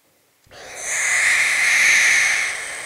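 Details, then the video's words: Defensive hiss from a barn owl, held as sustained defence: a steady, rasping, breathy exhalation starts sharply after half a second of quiet, swells slightly, and continues unbroken for over two seconds. "Owl, Barn Sustained defensive hiss"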